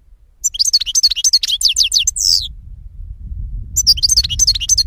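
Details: Goldfinch song of rapid descending tinkling chirps building to a harsh buzzy note, then a fresh phrase of high twitters over a low rumble.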